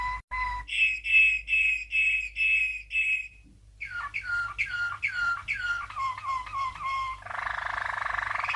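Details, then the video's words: Champion Waterslager (Malinois) canary singing in 1997, a training song for young canaries: a run of steady whistled notes about three per second, then a rapid tour of falling liquid notes, ending in a soft rushing roll. "Malinois CANARY From 1997 - 12h Training Song"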